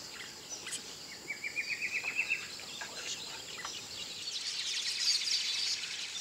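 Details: Black crake in Akagera National Park, Rwanda, in March 2013 gives a quick run of about ten clipped, mid-pitched notes that rise slightly, over steady hiss and high chatter from other birds.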